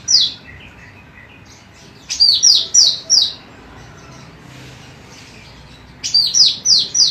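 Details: Female cucak rante emas, a training recording for songbirds: bursts of four or five bright, downslurred whistled notes, each sliding high to lower, at the start and near the end, with softer faint chirps between. Quiet background hiss.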